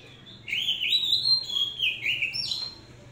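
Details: Oriental magpie-robin, one of several young birds hand-raised, sings a continuous varied warble of rich whistled notes that rise and fall and end with a sharp upward slur.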